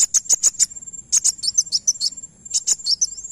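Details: Van Hasselt's sunbird song used to provoke an answering bird: quick clusters of sharp, very high notes with short downward flicks, three groups separated by brief gaps over a faint steady high hum.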